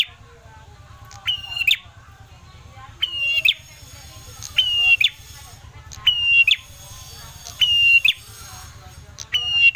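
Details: Ashy tailorbird (red-headed prenjak) in lively song, used as a lure to prompt other birds to sing: a short high whistled phrase with a sharp upturned ending, repeated about every one and a half seconds, six times, over steady low background hum.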